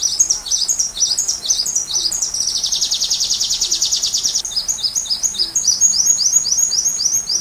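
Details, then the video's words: Sunbird song intended for tutoring white-rumped shamas: repeated very high sliding chirps, a dense buzzy trill in the middle, then quick rhythmic pairs of sharp, falling notes. "Rajanya Isian Kolibri"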